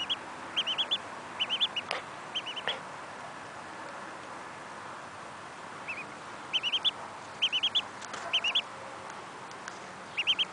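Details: A female mallard duckling, found abandoned alone near ponds and cared for at home alongside a curious Miniature Schnauzer, gives shrill, high peeps in quick bursts of two to four.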